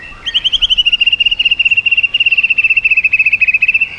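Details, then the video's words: White-rumped shama delivering a rapid-fire trill during 'yến reo' song meant to stimulate other birds: a steady, evenly pulsed string of identical chirping notes, roughly four per second's fraction, sustained for nearly four seconds. "chòe lửa hót giọng yến reo,bắn dây đảo giọng đánh đuôi kích chim cực mạnh"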